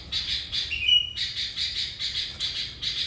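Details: Sooty-headed bulbul used for luring wild birds, singing gacor; pulsed scratchy chatter, one clear whistled note near the first second, then more rhythmic chatter.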